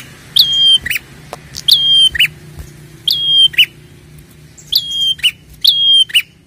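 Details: Prinia, locally called prenjak kepala merah, in a lure recording played to stir prinias into calling: sharp, metallic chirped notes, each a short high note then a quick upturned flick, given in pairs roughly every one to one and a half seconds over a low background hum.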